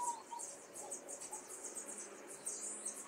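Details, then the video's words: Caged young common starlings in urban Liepāja, Latvia, May 2024. A fast run of thin, buzzy, very high chirps is repeated almost continuously, with a faint lower whistle early on and soft town background noise. "MĀJAS STRAZDI / Sturnus vulgaris / būrī. Jaunie putni."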